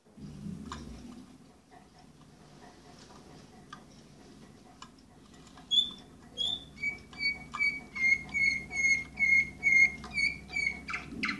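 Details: Orpheus-breed canary: after several seconds of low room hum and faint ticks, a pure whistled note repeats about twice a second in a steady, even series, like a slow trill.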